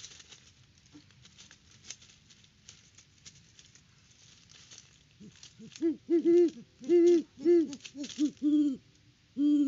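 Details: Great horned owls at a nest tree on a Kansas farm, seen on a live cam in October. After several seconds of quiet rustling, the male begins a run of low hoots that grow louder, some in quick doubled pairs.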